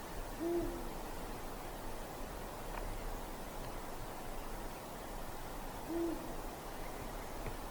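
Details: Two deep, short hoots about five and a half seconds apart from a Eurasian eagle-owl in a winter night forest, separated by low continuous hiss.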